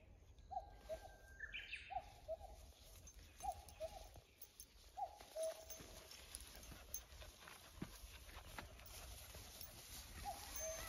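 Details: Off-key common cuckoo, the same tone-deaf bird heard last year and back again this year, giving short mid-pitched hooting notes about every one and a half seconds over constant background hiss and scattered clicking sounds.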